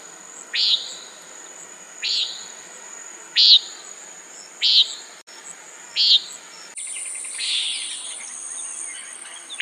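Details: Common nighthawk calling steadily, five short harsh nasal notes about every one and a half seconds, then a louder hissing background with further rougher calls near the end; insects whine throughout.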